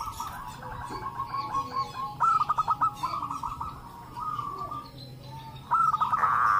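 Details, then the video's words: Local zebra doves in a group chorus, answering each other, meant to prompt other doves into calling: fast pulsed coos blend into a steady trill, then a louder burst of quick notes near the end. "pancingan perkutut lokal agar bunyi - suara rame emang paling ampuh"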